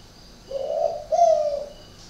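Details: Spotted dove kept at a northern Vietnamese dove-breeding garden in Ba Vì, Hanoi, with a cooing style described as unusual. A single two-part coo: a hoarse low note, then a slightly higher, smoother drawn-out note that fades at the end.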